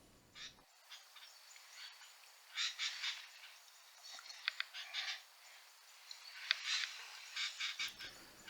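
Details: Sooty-headed Bulbuls at Doi Lang, Chiang Mai, Thailand, on a cold day, behaving aggressively and chasing off sibias, give noisy bursts of bright, chattering notes in clusters a second or two apart, with fainter bird calls in the background.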